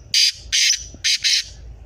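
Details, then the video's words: Black francolin (kala teetar) calling: four harsh, rasping, broadband bursts, the last two close together, in about a second and a half, over a quiet background. "Kala teetar voice"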